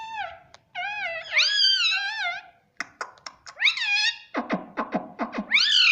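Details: Pet talking parrot saying mitthu: nasal, harmonic-rich wavering calls that dip and rise, mixed with sharp clicking syllables and tongue-like clucks, in a small quiet room.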